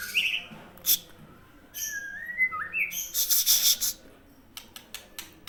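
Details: White-rumped shama of the Aceh type whistling a long, gliding phrase that dips and rises, bracketed by loud rustling, clattering bursts and scattered clicks.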